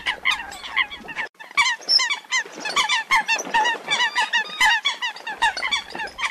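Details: Female Eurasian coot giving a distress call after being separated from its flock, used as a hunting lure: loud, nasal honking calls in a rapid, overlapping stream, several each second, with a squeaky edge and one short break.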